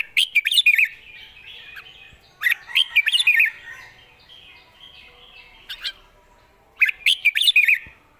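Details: Red-whiskered bulbul singing with good phrasing and a light voice: three bursts of quick warbled, whistled notes rising and falling, separated by short pauses, with a single sharp note in between over quiet background.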